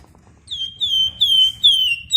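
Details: Flamboyan, a songbird, singing in a lively, steady style described as ngebren rapat and nyerecet: a run of clear whistled notes, each sliding slightly downward, given in quick succession and growing louder toward the end, over a faint low hum.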